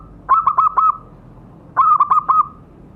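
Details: Lure recording of a zebra dove for setting off captive birds: two quick bursts, each of four sharp staccato coos run together at one pitch, separated by about a second of quiet.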